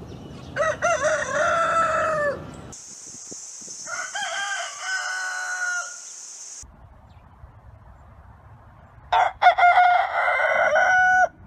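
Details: Rooster crowing on a farm at dawn: a loud harmonic crow rising and wavering near the start, a steady high hiss in the middle, a fainter partial crow, then another strong crow near the end.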